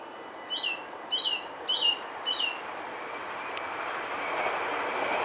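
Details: Song thrush in Alkmaar, Holland, gives four short repeated whistled notes, then falls silent as a growing rumble like a passing train swells and fills the second half.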